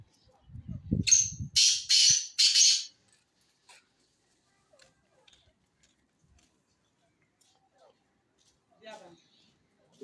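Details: Black francolin, a Sindhi tetar offered for sale, giving three harsh, buzzy, grating notes in quick succession, each about half a second long, after a low human voice at the start; quiet afterwards.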